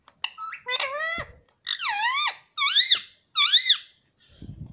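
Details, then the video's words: Pet rose-ringed parakeet said to talk, saying "mummy papa": four loud harmonic phrases with wavering, rising-and-falling contours, separated by short pauses, in a quiet indoor setting. "मम्मी - पापा बोलने वाला तोता"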